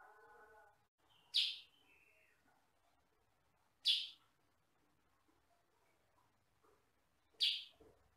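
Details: Sooty-headed bulbul, sutra variety with yellow and black plumage, recorded for training other birds: three loud, sharp, rasping chirps spaced unevenly over eight seconds, with a soft low hum before the first.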